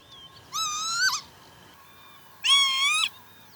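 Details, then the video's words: Northern lapwing at Pyarkovichy, Belarus, July 2025, giving two drawn-out, buzzy nasal calls about two seconds apart, each slowly rising in pitch before a quick downward flick, with near silence between them. "Кнігаўка ці Каня (Northern lapwing) - гукі"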